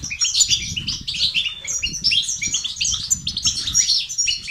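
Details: Rapid high-pitched European goldfinch twittering, a 'tibtiba' and 'sitsat' style song used to encourage male birds to sing: jumbled chirps in bursts about every second, with faint low fluttering.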